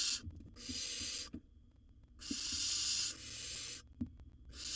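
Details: Wild barn owl nestling in a nest box, gobbling down a bird after its sibling tried to steal it; long, broad, rasping hisses about a second each, separated by short pauses, with faint shuffling and knocks.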